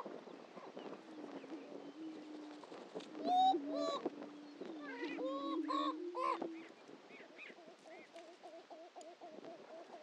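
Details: Greater prairie-chickens displaying at a historic lek on Dunn Ranch Prairie, Hatfield, Missouri: a steady low hum runs beneath loud, ringing, harmonic whooping calls mid-clip, followed by softer wavering notes from several birds.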